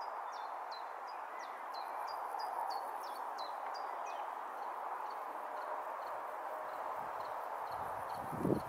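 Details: A common chiffchaff in Brighton, UK, in July 2020, repeats high, thin, down-slurred notes about three times a second in a steady chiff-chaff song rhythm, over a constant hum of distant traffic or wind.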